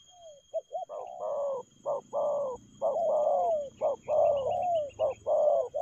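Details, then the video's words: Spotted dove in a lively, fast 'lèo gù' cooing bout: closely packed hollow coos, short and long notes tumbling together almost without pause, over a low background rumble and faint high chirps. "Nết chơi nhanh lẹ, gù tốc độ.Clip445/ Nước chơi lèo gù"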